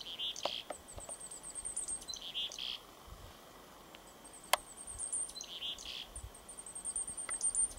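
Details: Chickadee singing at a lakeshore on a spring afternoon, praising spring: short clear whistled notes repeated three times at spaced intervals, with fine high chips from other birds and steady background noise.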